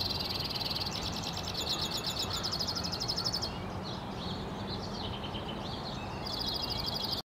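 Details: Northwest Regina, Saskatchewan, Canada, April 3, 2017: a male white-winged crossbill sings two long, rapid, rattling trills separated by a run of sweet wavering warbled notes, with a persistent low hum underneath.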